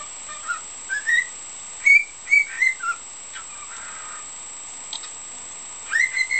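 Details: Pet cockatiel whistling its repertoire of learned tunes, including part of a children's song it is practising, a bush-warbler-like "hokekyo" and "Bibbidi-Bobbidi-Boo". Clear, bright whistled notes rise and slide in short phrases, several in quick succession with pauses, over quiet indoor background.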